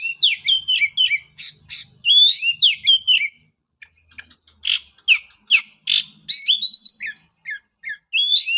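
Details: Oriental magpie-robin singing, played to coax a bird that went silent after its moult. Loud, varied whistled phrases with quick upward slurs mixed with harsh clicks and chips, delivered in a steady run with brief pauses.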